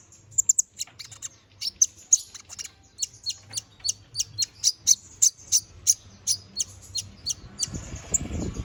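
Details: Chattering canary in 'gacor ngobra' form, a master song for training magpie robins: a rapid, steady run of thin, piercing high chips that speeds into a dense rhythmic series, ending with a brief rustling noise.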